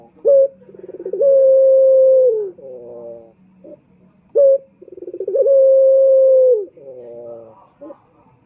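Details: Male Barbary dove (puter) calling, a recording used to lure other males: a stuttering run of pulsed notes rising into a long, steady, mellow coo and a falling rolled ending, given twice in eight seconds.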